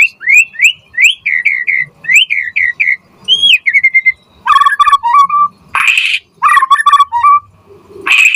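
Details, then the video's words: Energetic white-rumped shama singing as a lure for other shamas: repeated bouncy upslurred whistles in quick pairs and triplets, followed by harsh buzzy bursts mixed with clear falling whistles. "Pancingan Murai Batu Gacor Auto NYAUT cepat RESPON Buat Masteran Burung Murai Agar Gacor Full Isian"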